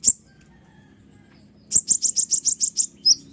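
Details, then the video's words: Kolibri ninja sunbird singing loudly as a master recording to provoke other birds: a lone high chirp, a pause, then a quick run of about nine sharp, very high notes and a final squeaky twitter. "Jangankan konin burung ciblek pun emosi mendengar suara ribut kolibri ninja gacor nembak full durasi"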